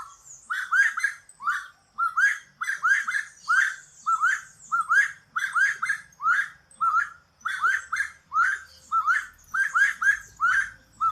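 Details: Saffron finch (canário-da-terra), Brazilian fauna, singing a lively series of short chirped notes, each sweeping upward, delivered in quick clusters with brief pauses over about eleven seconds; no other sounds stand out.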